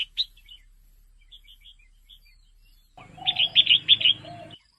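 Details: Female red-whiskered bulbul calls meant to stir males into action: a sharp chirp at the start, a few soft spaced notes, then a rapid burst of five clear, choppy notes with a low droning hum beneath.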